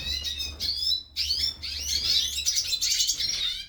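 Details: Captive hooded siskins in a breeding aviary warming up into song: bright, high twittering phrases with rising whistled slurs and quick chattering trills, broken by short gaps, with a low electrical hum beneath.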